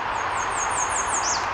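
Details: A tiny male American redstart, likely by the observer's identification, sings from the trees: a quick series of five very high, thin notes, then a lower slurred note at the end, over a steady broad hiss.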